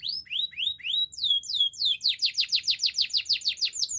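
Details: Canary song opens with slow rising-and-falling whistled slurs, then switches to a fast, regular run of descending sweeps, about five a second.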